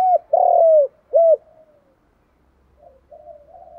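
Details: Spotted dove kept for luring other doves, cooing in the thổ cục đinh style. One loud phrase of a short note, a long falling coo and an arched note, then faint soft cooing.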